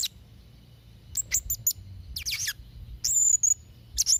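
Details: Vocal Blue-crowned hanging parrot, recorded to tutor young and moulting birds: short bursts of thin, sharp chirps, a quick tumbling squeaky run, then a sustained shrill whistled note, over quiet low background noise.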